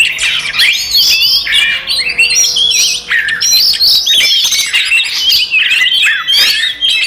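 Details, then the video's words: Oriental magpie-robin singing its aggressive fighting song to provoke others: long stream of varied whistles, trills and sharp chips, very high and busy, with short breaks between rapid phrases. "SUARA BURUNG kacer gacor TARUNG konslet paling AMPUH buat PANCINGAN KACER EMOSI"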